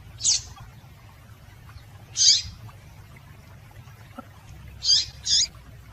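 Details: Call of a female double-collared seedeater meant to stir males: thin, high-pitched chips spaced widely, then a quick pair near the end, four notes total against a quiet background hum.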